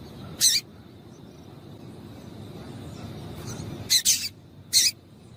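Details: A female Double-collared seedeater calls to stimulate the male: one high chip, a long pause, then a doubled chip and a final single chip, with a faint steady hum throughout.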